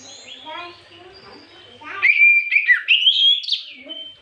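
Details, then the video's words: Oriental magpie-robin lure song for triggering other magpie-robins, afternoon: low chattering notes give way to bright, repeated whistled phrases that step upward before fading. "Pancingan Terjitu burung kacer di sore hari"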